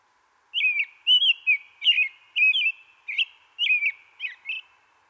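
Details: American Robin, a backyard bird that often sings very early, sometimes before light, caroling a run of short, clear whistled phrases, about eight in four seconds, each rising and dipping like 'cheer up, cheerly', over a faint steady hum.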